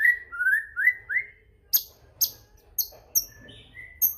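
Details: White-rumped shama song meant to trigger singing in other shamas: four clear rising whistles in quick succession, then sharp high ticking notes spaced about half a second apart, with a soft low rumble beneath.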